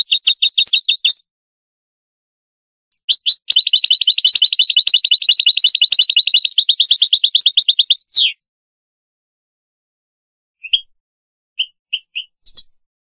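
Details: European goldfinch song from a tutor recording for teaching young birds: clean, high trills of rapidly repeated notes, a long run of chattering phrases ending in a descending slur, then scattered short chips after a pause, no other sounds.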